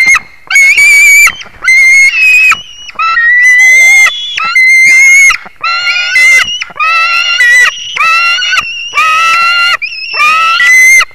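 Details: White-tailed eagle recorded 21 July 2019 at 22:10, giving loud, harsh, strongly harmonic screaming notes, each about half a second to a second long, in an uneven series of roughly ten calls with short gaps; no other clear sounds.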